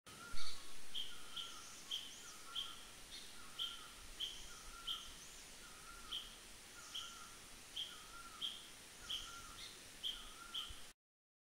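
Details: A Rufous-bellied niltava (Niltava sundara) gives short, thin, high call notes about twice a second, each with a fainter lower tick, over a steady background hiss.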